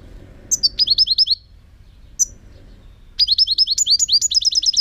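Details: European goldfinch song from 2018: a brief rising twitter, a lone high chip, then after a pause a longer rapid phrase of some twenty liquid notes quickening at the end.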